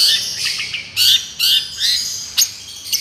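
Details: Long-tailed shrike, miyik-style therapy song: harsh, scratchy high bursts come in short irregular outbursts with gaps between them.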